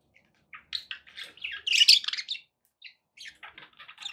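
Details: Budgies kept as pets chattering with quick scratchy chirps, a louder burst of warbled chatter midway, then softer clicks and tweets.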